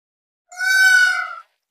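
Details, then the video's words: Single loud, nasal, trumpet-like cry from a peacock, held level for about a second and then cut off cleanly, with silence before and after. "Peacock Sounds"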